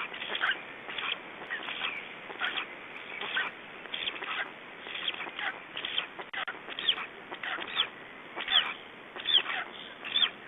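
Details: Black stork chicks in Estonia left alone at the nest by the parent, evening of 3 June 2012 at 19:18; harsh, rasping, broadband bursts repeated irregularly, about once per second, with quieter hissing between.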